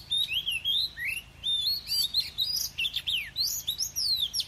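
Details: Oriental magpie-robin with wild forest-style song, fast varied whistles, steep downward and upward sweeps and chattery notes packed tightly together, with a low steady hum behind.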